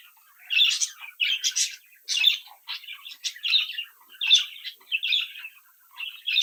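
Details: Brood of young pet budgerigars chirping and warbling while playing; bursts of scratchy, buzzy chirps in quick clusters about every half second, with brief pauses between phrases.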